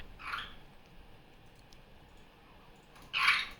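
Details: Indoor pet superb parrot, a female just off her nest, noisy during morning playtime on a Sunday. Two harsh, screechy squawks, the second louder and longer, are separated by almost three seconds of near silence.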